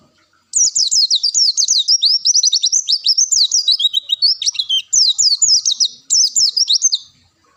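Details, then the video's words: Masteran recording of a long-tailed shrike's bongkar isian song: after a brief silence, a loud varied stream of quick high notes, short rising and falling slurs grouped in bursts with tiny pauses between. "Ngalas panjang bongkar isian."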